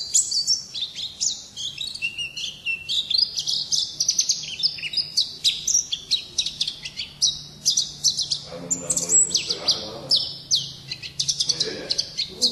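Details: A pleci (white-eye) kept as a pet contest bird pours out a fast, high twittering song of thin chirps and trills that runs without pause, with brief duller rustling noises near the end.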